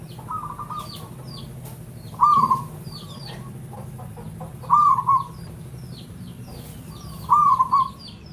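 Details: Local Javanese zebra dove song used as a lure: short purring, trilled coos near one pitch, repeated roughly every two and a half seconds, with faint chirps of other birds and low background hum.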